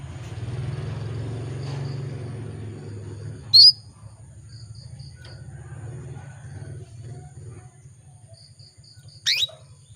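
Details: Female canary calling males; two brief, piercing high chirps about six seconds apart, set against a constant low rumbling hum and faint thin tones.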